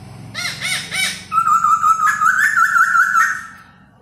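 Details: Caged laughingthrush singing while dancing, opening with three loud arched notes, then a long wavering, warbling whistled phrase held steady for about two seconds before fading.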